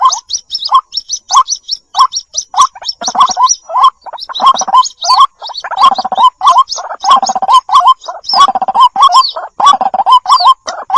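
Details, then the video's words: White-breasted waterhen chicks calling for their mother, in a lure recording: rapid, overlapping gurgling notes with short high squeaky chirps on top, coming in uneven bursts about every second, with brief gaps between them. "SUARA PIKAT BURUNG RUAK RUAK //SUARA ANAKKAN MEMANGGIL INDUK!!"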